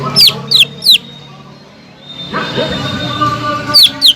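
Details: Greater green leafbird song used to arouse a silent leafbird: three sharp descending whistles, a stretch of steady hum and rumbling background noise, then two more piercing notes.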